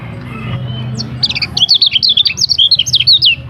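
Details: Varied song of a lemon-bellied white-eye on a training recording with many sound variations: a quick, high, twittering warble of looping, wavering whistled notes that begins after a second of quiet low hum.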